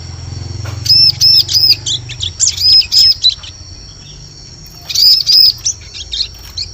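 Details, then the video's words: Bar-winged prinia calls used to attract birds in forest: two bursts of quick high arched chirps and sharp notes, with a low hum at the start and a quiet gap between bursts. "Suara Pikat Burung Ciblek Cocok Untuk Memikat Di Hutan"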